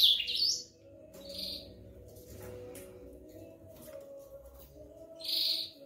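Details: A male ultramarine grosbeak (azulão) sings in short bursts: a bright phrase at the start, another near one and a half seconds, and a loud final burst near five and a half seconds, over a low steady hum.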